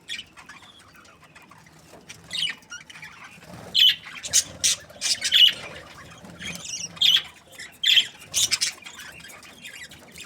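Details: Breeding pairs of budgerigars, said to be happy, make loud harsh squawking chirps in clusters after a quiet start, about a dozen sharp bursts in the second half.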